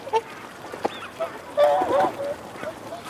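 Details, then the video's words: Wigeon males and females calling, mostly short low notes and a louder rough grumbling burst in the middle, a brief clipped whistle early on, over a busy background of flock noise. "Wigeon. Calls Cu-Mcu From Males, Females Also 'Growling' Mcu-Cu, Calls From Whoop"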